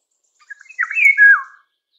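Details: A Eurasian golden oriole (Oriolus oriolus) gives one short, fluting whistled song phrase with a few soft notes, then a rich falling end, lasting just over a second.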